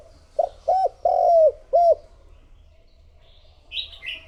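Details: Spotted dove used as a lure for other doves. It gives four low arched coos in a quick burst, the third long and sliding down. Then comes a quiet gap and a brief higher chirping from another bird.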